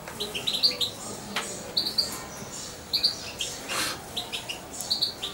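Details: Young pet European goldfinch, about two months old and formerly syringe-fed, gives paired high chirps repeated about once a second, with light rustling and indoor noise around them.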